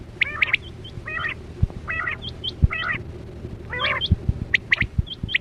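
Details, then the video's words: Quail lure sound for net hunting of chora batera: four harsh, laddered nasal notes about a second apart, alternating with thin high double chips, with low thumps and a faint steady hum beneath. "Sound Of Chora Quail Batera"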